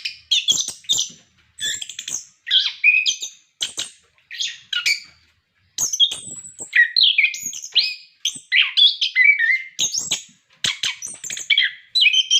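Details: Orange-headed thrush kept in captivity, singing continuously to prompt other caged birds: long run of short, varied phrases mixing high thin whistles, warbles and harsh clicks, with brief gaps every second or so.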